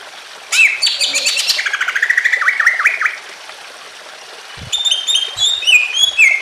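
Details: Greater green leafbird singing emotionally to trigger other leafbirds: a loud rapid chattering burst sliding into a string of swooping whistles, a pause, then a jumble of bright mimicking notes.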